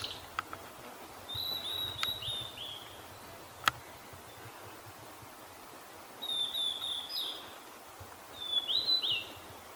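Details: Male blue-and-white flycatcher reacting to a nearby calling female in Kita-Harima, Hyogo Prefecture, Japan. Three clear, high warbled phrases, the last ending in a rising flourish, are separated by quiet pauses, with a few sharp clicks between them.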